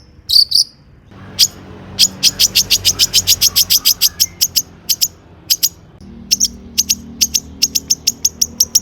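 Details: Long-tailed shrike singing energetically, used as a lure to get other shrikes singing: a burst of high notes, then a long run of sharp, evenly repeated high ticks, about three per second, over a faint low hum.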